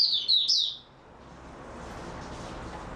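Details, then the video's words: Kept white-eye, recorded 3 March 2022 after a good night's sleep, gives one short burst of high, thin twittering that lasts under a second. Quiet room hiss follows. "Mata Puteh Raja Video 2 buka sing tiong aw"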